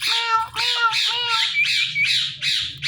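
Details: Pet Indian ringneck parakeet talking, repeating a harmonic, meow-like word about every half second in a steady series; low hum underneath.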